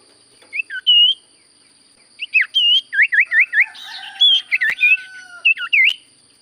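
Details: Common Iora singing busily: varied looping whistled notes, some rising and some dipping, run together in a lively chattering phrase after a short opening pair, with a faint constant electronic whine.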